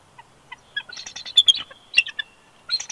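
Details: Male bald eagle at a nest at Big Bear Lake, California, on 20 January 2020, whining and protesting as his mate coaxes him off the eggs; rapid squeaky chittering notes in uneven bursts, a pause, then a final short burst.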